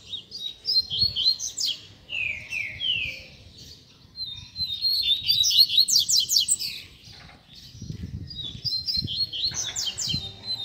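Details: Tutor song of a coleiro for teaching young birds: bursts of fast, bright warbled phrases with descending slurred whistles, separated by short pauses, with faint low rustling between them.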